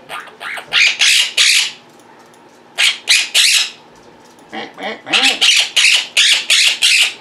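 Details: Pet Quaker parrots (monk parakeets) calling indoors while their owner sits at the computer: loud harsh squawks in rapid series of three to six, separated by short pauses, with some softer chatter.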